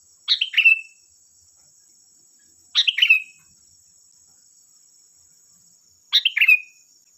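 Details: Sooty-headed bulbul lure song meant to make other bulbuls reply: three matching liquid phrases at irregular gaps of about three seconds, each a quick cluster of notes ending in a downward-slurred whistle, over a steady high hum.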